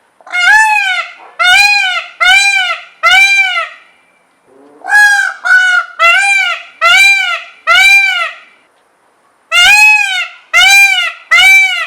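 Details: A peacock yelling in three bursts of four or five loud, nasal, arched screams each. The calls come almost once a second within each burst, with short pauses between bursts.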